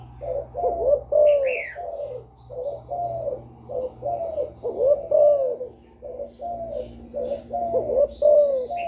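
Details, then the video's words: Young spotted dove decoy, calling and bow-cooing to lure wild doves: repeated low wavering coo phrases over a steady droning hum, with a couple of brief higher chirps from another bird. "Cu gáy tơ gáy giọng hạp bổi GÁY GỌI + KÈM GÙ BO chim cu gáy chu lèo bài bản kích bổi hay. Cu đất gáy"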